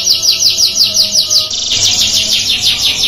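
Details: Canary song that other canaries are said to answer within two seconds: rapid, rhythmic high trill of falling slurred notes that shifts midway into a second, slightly lower trill phrase.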